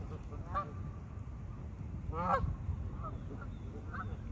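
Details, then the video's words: Geese at a pond giving several short nasal honks, the loudest near the middle, with smaller honks spaced around it over a constant low-pitched background rumble. "geese in the pond"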